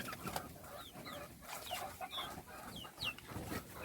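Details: Little chicks peeping during a feed, a steady stream of thin, high, down-slurred chirps from several birds, over a hissy, noisy background.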